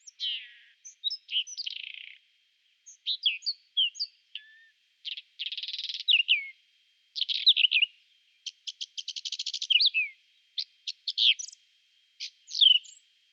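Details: A Whinchat sings in spring, April 2020: short, scratchy phrases mixing sweet whistles, dry rattles and buzzy trills, high-pitched with brief pauses between bursts.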